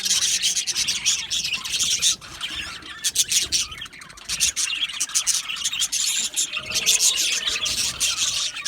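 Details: Happy budgerigars in an aviary colony chatter continuously with dense, high, scratchy chirps and rapid twittering that overlap into a steady wash. Brief lulls near two and four seconds, with no other clear sounds.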